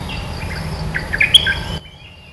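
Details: Territorial Red-eyed bulbul giving a lively, bubbly phrase of rapid liquid notes rising to a bright squeaky peak, then stopping abruptly, leaving a faint thin whistle.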